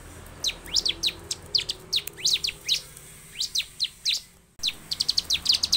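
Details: Bar-winged prinia, known locally as ciblek, singing as a lure for caged birds: fast high downslurred chips and doubled notes in quick bursts, a short break, then a faster run of thin sharp notes.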